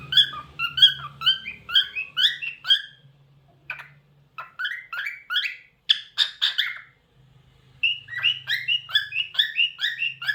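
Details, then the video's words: Talkative pet cockatiel singing: fast runs of short, chirpy, upward-sliding notes, about two per second, in bursts broken by brief pauses, over a steady low hum. "Cockatiel Talkative Bird 🐦 Rio Nice Singing"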